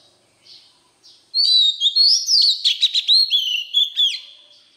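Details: Wild-type song of an Oriental magpie-robin, used to stimulate freshly caught birds: two soft short notes, then a loud continuous stream of varied whistles, sweeping slides and rapid clipped notes lasting about three seconds, with nothing else audible.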